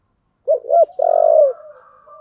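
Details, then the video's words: Spotted dove, 'giọng thổ' style singer, gives a single low phrase: two short rounded coos, then a long, throaty, purring note that slides down and fades into faint trailing tones. "cu gáy giọng thổ/ cu gay giong tho cuc dinh"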